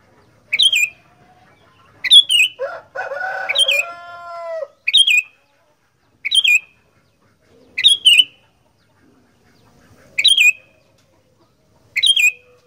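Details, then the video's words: Sooty-headed bulbul (kutilang) in fighter-style gacor song, giving short sharp bubbling bursts roughly every two seconds; a harsh buzzing, wavering sound fills the pause after the second burst. "Burung Kutilang Gacor Fighter"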